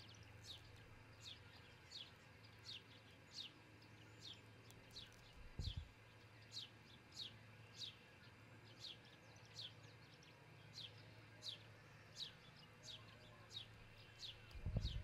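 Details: Sustained sequence of osprey chirps at a Charlo, Montana nest, dawn 22 June 2018, from a nest camera: over a dozen high, falling, whistled notes at about 0.7-second spacing, two low bumps and background hum.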